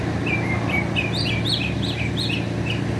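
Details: Mockingbird singing in America, a varied run of short chirped and whistled phrases, each different, over a steady low hum of background noise.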